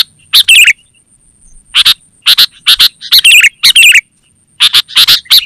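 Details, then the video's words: Sooty-headed bulbul, called kutilang, in a calling recording for luring and training songbirds. Loud, slurred two-part chirps come in spaced clusters of two or three notes, with a soft whine constant high above. "Suara Burung KUTILANG GACOR Terbaik Untuk Panggilan dan Masteran"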